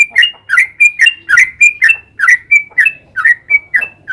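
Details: Sooty-headed bulbul, a 'trucukan' giving a long 'ropel' song to lure others into answering: crisp, bright whistled notes repeated rapidly in an even beat of roughly three per second, loud and clean.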